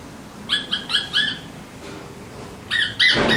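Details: Alexandrine parrots give four quick, evenly spaced nasal squawks, then a short pause, then a louder, harsher burst of overlapping squawks.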